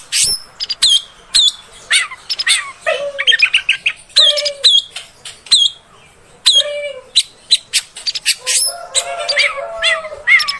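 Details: Female oriental magpie-robin sound used to stir up males: scattered sharp chips, short descending whistles and low nasal notes, with a dense scratchy chatter near the end and brief pauses between bursts.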